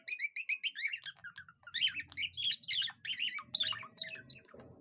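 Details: A budgerigar imitating a cockatiel opens with a series of evenly spaced repeated whistled chirps, then moves into warbling chatter and a loud sharp squeak, with soft low noise behind.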